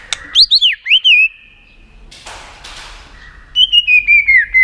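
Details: Tail-flicking white-rumped shama used to spur contest singing: a burst of bright, looping whistles, a pause with a soft noise, then a second run of descending whistled notes.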